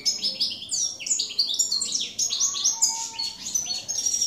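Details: European goldfinch, a field-type jilguero campero, recorded in 2017: rapid twittering song of liquid, high chirps and short slurred notes tumbling continuously for about four seconds, with a faint low hum underneath.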